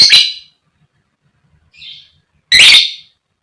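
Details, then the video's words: Female lovebird calls meant to rouse other lovebirds: a loud rasping chirp, a faint softer note, then another loud harsh chirp. "Burung Lovebird SUPER GACOR JITU Buat Pancingan Lb Fighter Ngetik Ngekek"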